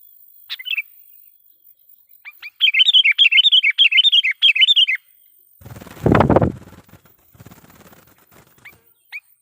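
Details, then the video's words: Sooty-headed bulbul lure sound meant to provoke wild bulbuls: one lone chirp, then a fast run of about a dozen rising-falling chirped notes lasting over two seconds. A loud broadband thump or rustle follows, then scattered faint chirps. "suara pikat KUTILANG GACOR /kutilang suara keras,membuat kutilang liar EMOSI"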